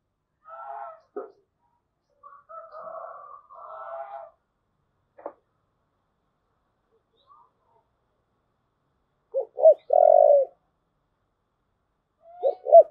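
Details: Spotted dove in thúc gù cooing: after long quiet stretches with faint soft murmurs and clicks, a low coo phrase of two short notes and a sustained hoot, then the start of another phrase.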